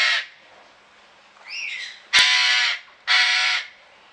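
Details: An Eclectus parrot in a garden aviary at Pelhřimov, Czech Republic, 18 August 2017, gives three harsh, raucous screeches about a second apart, with a softer rising squeal between the first two.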